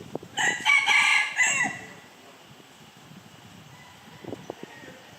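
A red junglefowl gives one short, harsh crow of about a second and a half, cut off abruptly. Faint ticking and soft background noise follow.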